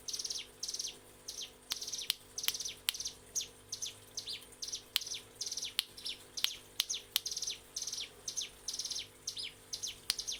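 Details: Master song of a mountain prinia for teaching caged birds: a steady run of high, buzzy, rattling chirp bursts, each about a third of a second, repeated nonstop with brief gaps and occasional sharp ticks.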